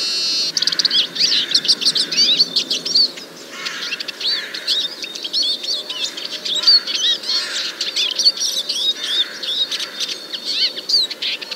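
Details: A Eurasian siskin singing in a Moscow forest park in March 2023, recorded with a parabolic dish: a fast, high twittering warble with squeaky trills and thin wheezy notes, almost unbroken apart from one brief pause.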